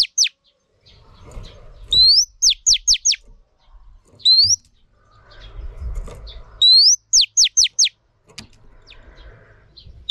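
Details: Female Oriental magpie-robin singing to stimulate males, for training: three phrases, each a rising whistle followed by four or five quick downward-sweeping notes, with faint low rustling between phrases.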